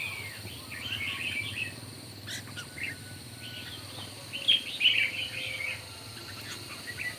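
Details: Morning singing contest of red-whiskered bulbuls, with clusters of quick chirping, warbled notes and a louder pair of bright notes midway, under a steady background hiss.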